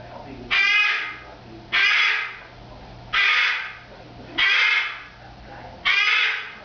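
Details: Female cockatoo kept as a pet, screaming as she does at the start and end of each day, some five minutes in; five harsh, strident screeches repeated steadily every second or so, each tailing off.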